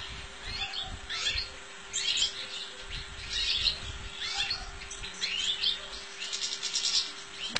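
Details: Goldfinch song, a bright run of liquid twitters, buzzy trills and upslurred notes in short bursts, heard against constant low hum and rumbling noise.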